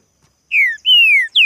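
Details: Three loud, pure whistles from a spirited green-winged saltator in a singing contest, each note falling in pitch, the middle one drawn out longest.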